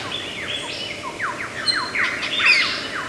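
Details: Lyrebird, an Australian forest mimic, giving a steady series of quick downslurred notes, repeated over and over, with faint overlapping high chatter.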